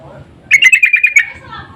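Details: Sooty-headed bulbul lure call, insistent in tone, meant to draw answering birds: a single rapid burst of about eight bright, harsh chattering notes at an even pitch, lasting under a second against a quiet background.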